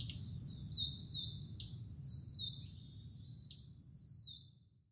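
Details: Blue-and-white flycatcher on Mount Futatabi, 4 June 2018, before the rainy season, singing atop a tall tree: high, clear whistled phrases that slur downward, repeated about every two seconds, one with a brief buzzy stretch, over low background hum.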